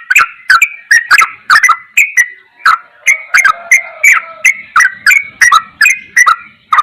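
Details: Masteran of a sooty-headed bulbul singing in the ropelan goklikan manner: rapid, crackling notes, each a click followed by a slurred drop, almost three a second, with a softer lower trill in the middle. No other sounds.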